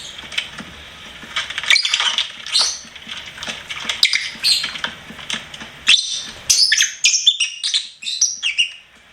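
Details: Lovebird kept as a pet, chattering and chirping: soft scratchy twitter for the first seconds, then a faster string of high, clipped squeaks and chirps toward the end.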